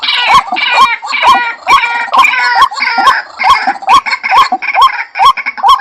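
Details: Series of White-breasted waterhen calls. Rising croaks pulse regularly, each followed by a click, mixed with blocks of rough, grating chatter between the notes.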